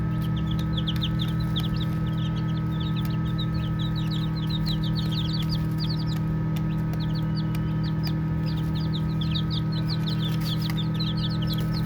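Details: Baby chicks chirping while playing; dense runs of thin, high peeps, many birds calling together in near-continuous bursts with brief pauses, against a steady low-pitched hum.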